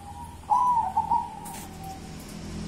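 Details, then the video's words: Local zebra dove in kuntilanak-style song: a soft tone suddenly louder as a quick, fluttering trilled coo, fading to a quiet sustained note, with background hum. "Perkutut kuntilanak"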